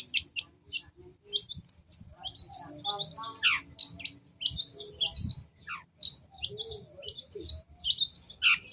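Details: Long-tailed shrike masteran song meant to provoke a reply: varied jumble of sharp whistled notes, descending slurs and scratchy chips, delivered in loose rapid phrases, with low hum and occasional thumps behind.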